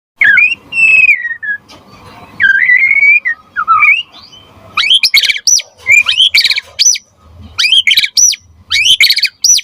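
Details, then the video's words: White-rumped shama, a singing murai batu used as a lure and tutor song to prompt other birds to reply: loud clear whistled phrases, some sliding down, followed by bursts of sharp chattering notes, with short pauses between. "Suara Murai Batu Gacor Biar cepat BUNYI Auto NYAUT buat Pancingan & Masteran Burung Murai"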